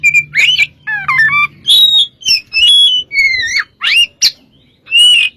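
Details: Oriental magpie-robin singing vigorously, recording meant as a lure: varied bursts of clear whistles, rising slurs and buzzy notes, in short phrases separated by brief pauses, with a faint low hum early on.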